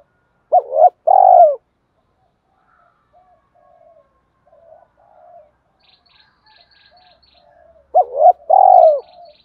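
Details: Spotted dove cooing to lure wild doves in: two low burry phrases, each a short note, an arched note and a long rolling coo, separated by quiet seconds with faint soft notes.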